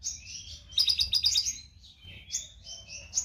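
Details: Konin lovebird in full, energetic song, used as training material for songbirds: a fast, nonstop stream of shrill chirps and rasping trills, with quick rising and falling squeaky notes throughout.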